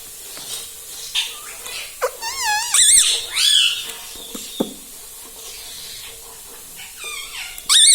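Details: Pet ringneck parrot indoors imitating words such as mummy, papa and radhe radhe: a string of nasal, wavering, speech-like phrases with rising and falling tones, some squeaky and shrill, separated by short pauses.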